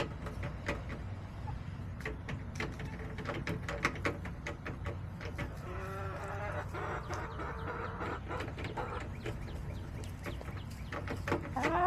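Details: Backyard chickens, July 17, 2024: a rapid series of sharp clucks and pecking clicks throughout, with a rough stretched crow in the middle lasting about two seconds and a rising squawk at the end.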